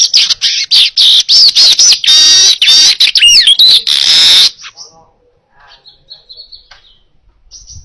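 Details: Weaver in full, clear song for training other birds: rapid clipped chattering notes and twangy slurs running into a long harsh buzzy wheeze, followed by soft scattered chips.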